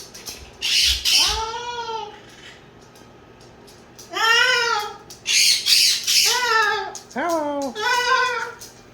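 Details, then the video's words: Pet male Moluccan cockatoo calling during play: loud, harsh harmonic squawks, each arching up and falling, given singly or in quick pairs with pauses of one to two seconds between bouts. "Moluccan Cockatoo Talking Compilation and Playing Running Jumping Making Noises"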